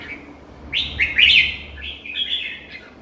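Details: Red-whiskered bulbul, kept in captivity: a lively run of connected chirpy, slurred notes rising and falling for about two seconds, bright and mid-high, with a low hum beneath.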